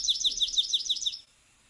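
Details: Palm Warbler song, much like a Chipping Sparrow's: one note repeated over and over, about seven high, quick notes in an even, dry trill lasting just over a second, then quiet.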